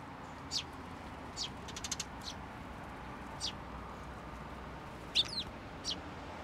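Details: At a Tenmangu shrine on 10 June 2024, sparrows fly to a hand to be fed. Scattered high chirps come singly and in a quick cluster, one louder note near the end.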